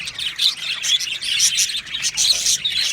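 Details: Happy budgerigars in an aviary colony, a dense chorus of high, bright chirps and short whistled notes overlapping continuously, with sharper squeaky accents around the middle and end.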